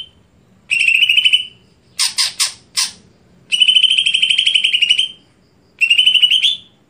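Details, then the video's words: Greater green leafbird gives long, steady, buzzy trills of up to a second and a half, broken by four quick harsh squawks, with clear pauses between phrases. "Apakah Stelan Cucak Hijau Bisa Di Patenkan"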